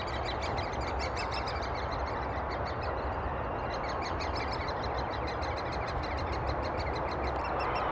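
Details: Great spotted woodpeckers feeding chicks, Thurrock woods, 20 May 2014, filmed on a FinePix HS50EXR: a continuous, rapid pulse of high short notes, several per second, under loud low rumble and hiss.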